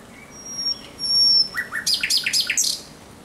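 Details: Thrush nightingale singing at night on 17 May 2023: a thin high whistle, then a burst of loud, sharp repeated chattering notes in quick succession.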